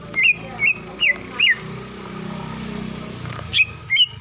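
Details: Female greater green leafbird calling the male, used to lure other leafbirds into singing: short clear whistled notes that rise then drop, about four in quick succession, then two more after a pause, over low traffic hum.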